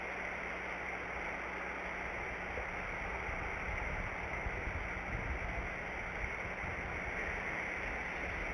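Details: Only an even, rushing hiss like running water or wind, with a faint low hum underneath; no animal voice is heard.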